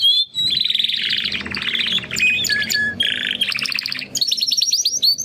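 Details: Young Timbrado canary brothers attempting to sing after their first molt; continuous varied song of rolling trills, buzzy rattles and rapid repeated chips, changing tempo every second or so.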